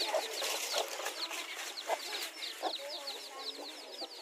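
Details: Mother hens fighting for territory in a garden with their newly hatched chicks; short low clucks burst out every second or so beneath a steady stream of high, downslurred chick peeps.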